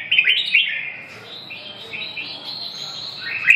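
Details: Red-whiskered bulbul opening with a loud burst of jumbled chirps, then a long stretch of softer undulating warbled whistles, closing on a sharp upward note.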